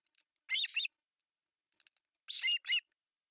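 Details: Two harsh, squealing bursts from begging osprey chicks, three young on an artificial nest in Pohjois Satakunta, Finland, fed at breakfast on July 1, 2024, with a few faint ticks between.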